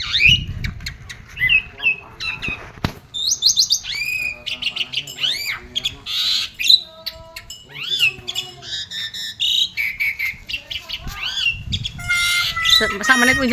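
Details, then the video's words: Asian pied starling delivering a long, loud and varied song of whistles, harsh squawks, buzzy rasps and chatter, with low murmuring voices at the start and end. "jalak suren super mewah"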